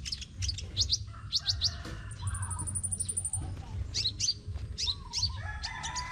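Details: Crimson sunbird in singing competition, Tân Phú, Đồng Nai, Vietnam: clusters of quick high chirps and downslurred notes, broken by a brief thin trill, with low background noise and faint other bird calls.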